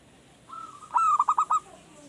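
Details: Caged, not yet fully trained zebra dove that has only recently begun singing regularly after a few days of care, used as a lure: a drawn note, then a quick run of about five short, clipped coos.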